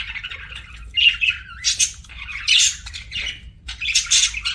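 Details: Pet budgerigars eating make a run of scratchy squawks and short buzzy chirps, spaced irregularly, some louder harsh bursts between softer chatter.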